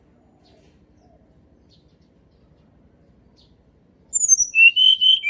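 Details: Sunda robin song used as a lure for reluctant singers: after four seconds of near silence, a short burst of high, clear whistled notes, slurred and dropping in pitch, closes the recording.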